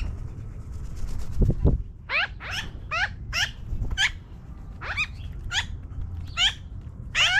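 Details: Magpies in a tree, flying down, produce a quick series of harsh, downward-slurred harmonic calls, about ten in rapid succession after a brief low thump, with steady low rumble beneath.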